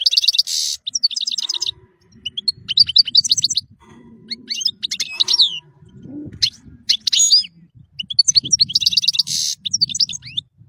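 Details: European goldfinch in full song as masteran material: harsh buzzy bursts alternating with sparkling twittering phrases and pauses, low murmuring background throughout.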